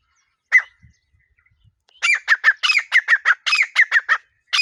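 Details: Desi teetar (partridge): a single harsh note, a pause, then a rapid series of loud, raspy, squawking notes, about seven per second, each with a sharp bright attack.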